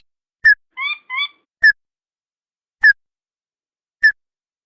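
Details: Ruddy-breasted crake calling as a lure for wild birds: clear short downslurred notes spaced about a second apart, with a pair of softer doubled notes early on, and silence between.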